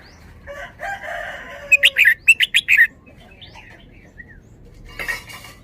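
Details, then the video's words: Red-whiskered bulbul singing a 'double' style phrase: a soft, hoarse warble first, then a rapid run of about six bright, sharp whistled notes, and a later fainter burst of rough notes. "นกกรงหัวจุก จ้าวมารวย แบบ เบิ้ลเบิ้ล"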